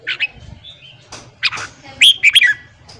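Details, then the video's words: Morning song of a red-whiskered bulbul, used to train wild-caught birds: a few short chirps, then a bright, rapid warbled phrase of rising and falling whistled notes, with faint low rumbling behind. "luyện giọng chào mào hót sáng kích lửa cho chào mào bổi"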